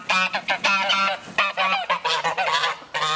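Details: Morning release of geese from their house, the birds giving joyful, brassy honks in quick uneven bursts, some calls rising and bending in pitch, over a low steady hum.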